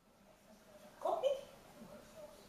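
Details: A 6-year-old female African grey parrot kept as a pet in the Netherlands, which loves imitating the household dog, gives a brief, throaty two-part burst in mid pitch, like an imitated bark or word, over quiet indoor room hum.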